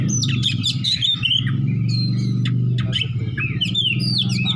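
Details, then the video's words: Oriental magpie-robin fighter seeking an opponent, in open ngeplong song: rapid clicks and sliding, rising whistles, with a loud, continuous low droning hum underneath. "kacer petarung cari lawan//ngeplong-ngeplong"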